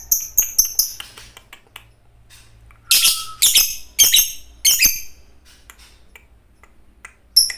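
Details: Training recording of a fighter lovebird singing eagerly: scattered high chirps, then loud, harsh, shrill bursts with a brief whistle, separated by pauses.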